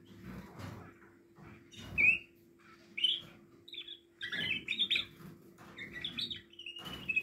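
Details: Portuguese Harlequin canary chicks producing short high chirps that build into clustered buzzy squeaks, over a steady low hum and rustling.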